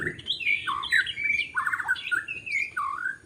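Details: White-rumped shama in forest, recorded while trapping birds in Lombok; a short run of loud slurred whistles and harsh warbled notes, rising and falling in quick succession.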